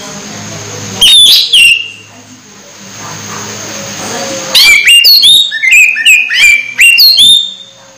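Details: Orange-headed thrush close to moulting, still singing strongly: a short whistled phrase, then after a pause a fast series of clear downslurred whistles and chips repeated in quick succession, over faint low hum.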